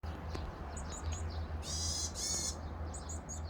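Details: Varied tit at the nest while feeding nestlings, 2 May 2023: thin, very high chirps in quick irregular bursts, broken by two loud broadband rustling bursts midway, over a steady low hum.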